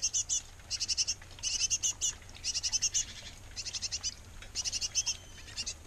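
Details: Great tit pair feeding nestlings at a nest box: bursts of high, rapid, scratchy chirps in clustered series of four to eight notes, pausing briefly between bursts, over a faint low hum.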